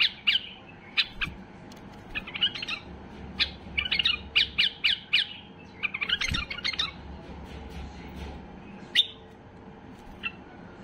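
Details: Basra bulbul (white-eared bulbul) at the height of excitement, singing to make other bulbuls start singing: irregular bursts of sharp, scratchy chirps clustered in rapid groups, with gaps between phrases and a faint low hum behind.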